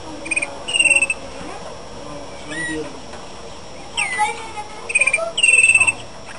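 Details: Malinois canary song in bursts: rapid rolled trills made of quick pulsed notes, a few sliding whistles in between, and two strong trilled phrases near the end, against constant faint background noise.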